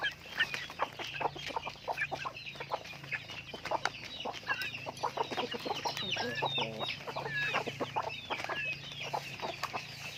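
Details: Chickens being raised on a farm fill the air with many quick, high, overlapping chirps and peeps, with a low hum present throughout.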